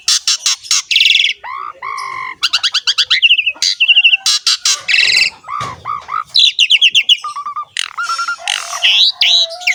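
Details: Asian pied starling, known locally as jalak suren, in energetic ngerek song: dense rattling bursts, falling whistled slurs, squawky notes and fast chattering trills packed almost without pause.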